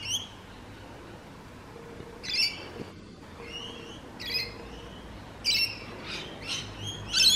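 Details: Rainbow lorikeets from urban eastern Australia, noisy as they feed and play: sharp, piercing screeches and short rasping squawks at irregular intervals, louder toward the end, with a faint mid-pitched tone and low hum behind.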